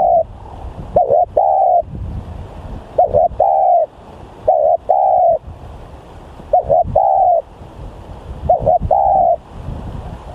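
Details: Spotted dove lure bird, described as highly vocal, coos five times at a regular pace of about one phrase every two seconds. Each phrase is a short broken double note and a long level coo.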